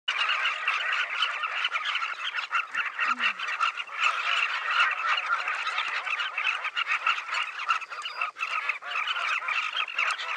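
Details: Southern carmine bee-eaters in a large breeding colony on the banks of the Luangwa River, heard from a hide; a dense, continuous chorus of overlapping rolling calls from many birds, with one brief low human sound.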